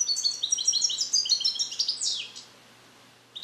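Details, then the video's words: Captive-bred male European goldfinch born in 2021 in the USA, song-trained on Neapolitan passages and still learning them, held in a carrier. He gives a rapid run of high, tinkling, buzzy notes for over two seconds, then a brief final note. "Cardellino Passata Napoletana 2021 - European Goldfinch - Jilguero cante limpio"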